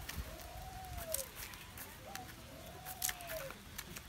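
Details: Spotted dove cooing, recorded 21 August 2021: two drawn-out, slightly rising then falling coos, each opened by a short note, with faint background chatter and rustling.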